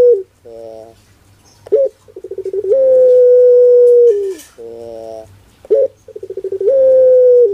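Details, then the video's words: Barbary dove, a 'pelung'-style cooing bird described as sounding funny: a short rising note, a rapid stuttering series of low pulses, then a long steady hooting tone, with the pattern repeated twice and a faint low hum underneath. "Suara LUCU PUTER Pelung"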